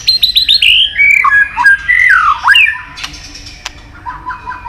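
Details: White-rumped shama training song: a quick series of short high notes, then looping whistled slurs sliding up and down, fading into soft low repeated notes.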